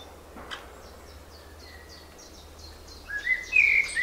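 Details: Springtime birds: faint high ticking notes repeated about four times a second for a few seconds, then louder clear whistled song phrases at the end, over a low background hum.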